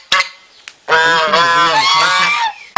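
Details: Territorial swan goose on a pond where people feed it bread, honking at those who withhold food: two short clicks, then one long, strained, nasal honk held about a second and a half, slightly wavering in pitch.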